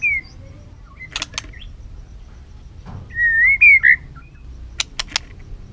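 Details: White-rumped shama prompted to sing in many voices, flicking its tail: a few soft sweeping notes, then a loud rising and looping whistled phrase, with scattered sharp clicks before and after.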